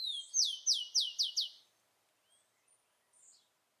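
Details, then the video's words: Wild rufous-collared sparrow singing in nature: a high opening note followed by five clear, downslurred whistles in quick succession, then near silence with a few faint distant chirps. "O canto do tico tico selvagem na natureza"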